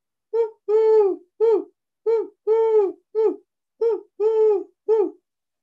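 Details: Eurasian collared dove, a non-migratory backyard bird of North Texas, gives a deep, hollow three-note coo, short-long-short, repeated three times about every 1.7 seconds, in a quiet setting.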